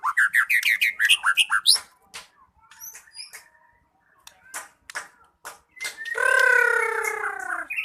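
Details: White-rumped shama singing fast looping whistled phrases, followed by scattered quiet chips and a long, harsh, nasal drawn-out note at the end.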